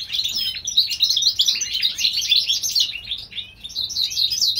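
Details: A European goldfinch hybrid from California sings through spring with an unbroken, dense warbling twitter of high, bubbling notes. The song dips only briefly before resuming.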